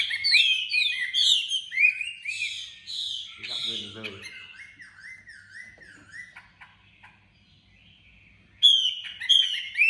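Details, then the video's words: Tame caged Chinese hwamei in Hanoi, newly arrived, with a sharp voice: loud, rich phrases of slurred whistles for four seconds, then softer repeated rising-falling notes, and a strong burst of whistling returns near the end. "Mi thuần vừa về tâm hồn ăn uống giọng đanh"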